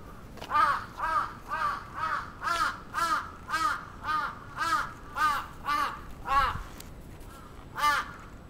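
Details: A crow attacking in Atsubetsu Ward, Sapporo, Japan, recorded 27 June 2017, gives a long run of harsh, nasal caws, about two per second, loud and fairly even, with light background noise.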